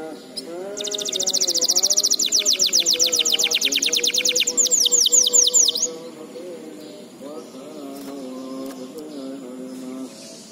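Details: Tutor recording for young canaries: a canary gives a loud, rapid, high-pitched trill for about five seconds, shifting into sweeping pulsed notes, then stops. Steady low wavering tones carry on underneath and remain alone afterward.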